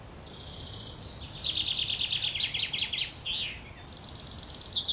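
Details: Wren young calling for food as their mother feeds them at Worthington Lake, Standish, Wigan: shrill chirps repeated very fast, shifting lower, a brief lull, then another high rapid series starting up.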